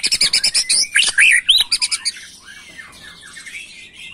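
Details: Agitated white-rumped shama singing in macul style: a fast burst of varied chirps, sharp high notes and slurred whistles for about two seconds, then quieter scratchy warbling trailing off.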